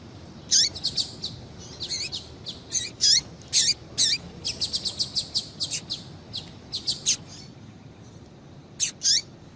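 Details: Female double-collared seedeater calls, played to stimulate captive males to sing. High, thin chips, some sliding downward, come in irregular bursts of about two to three per second, with only faint low background noise.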